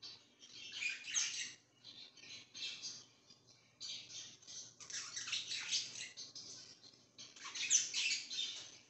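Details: Budgerigar chirping in short bursts of high, scratchy, buzzy twittering. The bursts come in uneven clusters with brief pauses between them, and the background is quiet.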